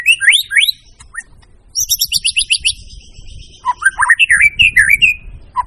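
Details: White-rumped shama with rising whistles, a high rapid trill, then a run of lower looping warbled notes; faint background rumble.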